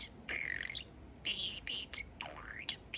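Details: Pet male budgerigar talking, chatting and saying a favourite phrase with a change, 'Peeka-boo' becoming 'Peek-e-boo'. The clip holds bright, buzzy warbling phrases with quick rising and falling squeaks, broken by short pauses.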